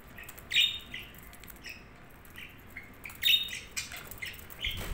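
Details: Several budgies chirping and squawking in bursts, with scratchy chatter, a quieter stretch in between, and a soft rustle at the end.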